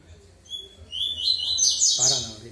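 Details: Yellow-bellied seedeater singing a quick run of high, sweeping chirps that rise and fall for about a second, followed by a man's voice speaking.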